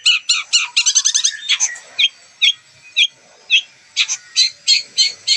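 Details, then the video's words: Long-tailed shrike, a captive contest champion, singing mimicked variations to rouse rival birds: a burst of fast doubled chirps, then spaced, sharp single notes roughly every half second. "Cendet Gacor Full Isian Variasi Suara Tembakan, Pancingan Burung Pentet Bahan Stres Macet Agar Bunyi"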